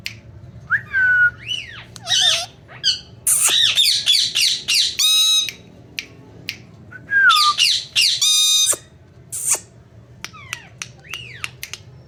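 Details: Indian ringneck parrot kept as a pet, mimicking speech indoors: rising whistled notes and harmonic word-like phrases broken by harsh broadband squawks, with pauses between bursts.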